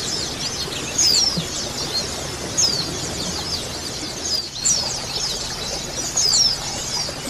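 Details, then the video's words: A mixed-sex white-eye colony in full chorus, offered as a therapy sound to make birds sing: constant shrill, thin twittering with brief falling squeaky notes rising above the mass roughly every one and a half seconds, plus faint hiss. "koloni pleci betina dan pleci jantan dan suara terapi pleci"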